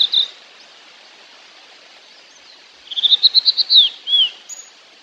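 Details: Fork-tailed sunbird: an opening chip, a pause, then an accelerating series of about eight thin, high notes rising slightly and ending in a downslurred flourish and short whistle.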